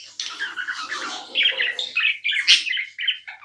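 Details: Tame pet budgerigar chirping nonstop indoors: a dense, scratchy warble of overlapping chirrs and squeaky notes, with a brief pause near the middle before the chatter resumes in short bursts.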